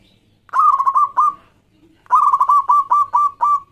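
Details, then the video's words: Local Zebra Dove singing energetically, a song meant as a lure to get other doves to start singing: two bursts of rapid, stuttering, mellow coos, each about a second long, separated by a short quiet pause. "Perkutut Lokal Gacor Suara Yang Pas Buat Pancingan"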